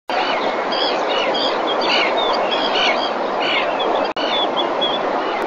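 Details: Common terns at a breeding colony in Marismas Negras, Astillero, Cantabria, Spain, during the 2021 breeding season, as a fish is brought to the mother. Repeated short, harsh calls overlap throughout, over steady loud rushing background noise.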